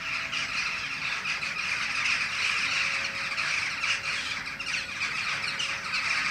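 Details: Against a setting full moon, a flock of jackdaws in a tree fills the air with a thick wash of harsh squawking calls, several birds calling at once, continuous throughout, with a faint hum behind.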